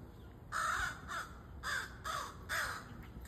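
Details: Young crow giving four loud, rasping, nasal caws spaced roughly half a second apart, each harsh and slightly wavering, over a quiet background.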